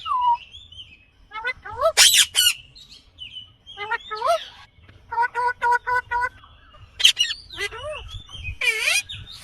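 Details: Natural calls of an Indian green ringneck parakeet: bursts of short harmonic chirps in quick clusters, curved downslurred notes and two loud rasping squawks, separated by brief pauses.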